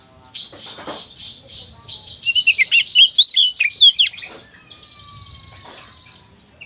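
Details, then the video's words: Kacer, the Oriental magpie-robin, in vigorous gacor konslet song meant to prompt other kacer to sing: a dry buzzy trill, then a burst of loud, sweet whistled notes, followed by another long buzzing rattle. "suara burung kacer gacor konslet"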